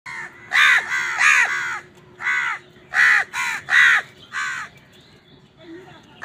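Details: Crows squabbling with wild birds over food: harsh, nasal caws in quick bursts, about eight in six seconds, often in pairs, with a faint steady hum beneath.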